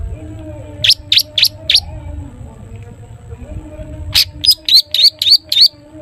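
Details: Long-tailed shrike giving "toet toet" song meant to make other shrikes sing: four quick high sharp notes, a short pause, then a faster run of six clipped whistled notes, with a low constant hum behind.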